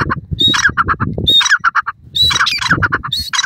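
A francolin gives loud, harsh, repeated phrases: a high whistled note, then rapid squawky clucks, about once a second, over a low rumbling background.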